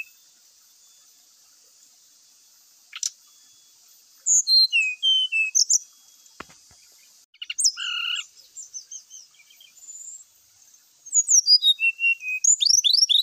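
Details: Brown-chested jungle flycatcher singing energetically, full of fill-in phrases, used as a singing lure; phrases of high buzzy notes and falling whistles separated by short silences, ending in a fast repeated run of sharp downslurred notes.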